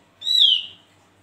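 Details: Single loud whistled note from a vigorously singing Javan grey-throated white-eye (opior jawa), clear and slightly descending, lasting about half a second.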